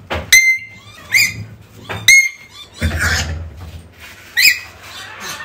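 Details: African grey parrot calling, played to draw a lost bird home: ringing whistled notes with bright overtones, alternating with broad rough squawks, spaced about a second apart, with a faint room hum.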